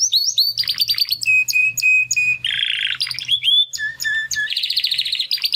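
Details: Two young Timbrado canary brothers attempting song after their first molt; varied song mixing sweeping whistles, steady held whistled notes, a harsh buzzy burst and a fast trill, with faint low background hum.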